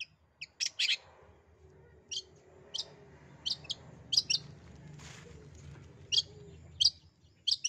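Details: Long-tailed shrike calling to stir a shy or lazy shrike into singing: sparse, sharp harsh notes, often paired, spaced irregularly about a second apart over a steady low background hum.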